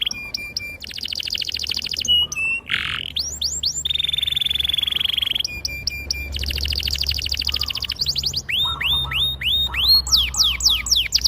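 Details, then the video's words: Canary in long gacor rolling song with a clear, piercing voice, used to train young canaries to sing: alternating buzzy trills, sustained high rolls and clusters of upswept whistled notes, repeated in varied tours. "PANCINGAN KENARI GACOR PANJANG || PANCINGAN KENARI PAUD BELAJAR BUNYI || MASTERAN KENARI PAUD"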